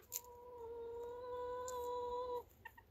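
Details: Chicken giving a drawn-out, steady, harmonic-rich note that holds level for about two seconds, then breaks off into a couple of short, soft clucks, with faint clicks and rustling behind.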